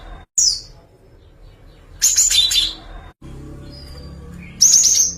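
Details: Java sparrow singing one of its song variations: isolated high chirps separated by pauses of a second or more, with two louder bursts of bright, clipped twittering.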